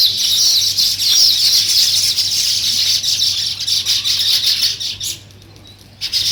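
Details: Weaver birds chirping while building their nest: a dense, continuous high chatter of many overlapping chirps that fades near the end, then resumes briefly.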